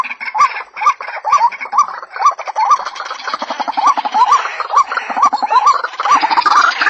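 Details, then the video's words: Repeated rising croaks of a white-breasted waterhen, about two per second, partly masked by a dense wash of rattling, buzzy background sound that grows louder toward the end. "Pullakodi sound waterhen birds voice | Jal morgi ki awaz"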